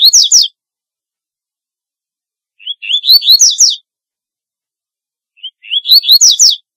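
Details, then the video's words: Song of the double-collared seedeater, played to call birds: three phrases about every two and a half seconds, each starting with a thin rising whistle and climbing into a rapid series of sharp, sweeping chirps. "Corbatita Canto Para LLamar 2 - Double-collared Seedeater Call Song - Sporophila Caerulescens"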